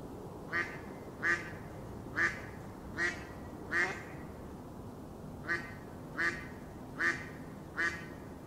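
A Mallard gives nasal, raspy quacks, about nine over eight seconds in two loose runs with a short pause between, over a low steady background hum.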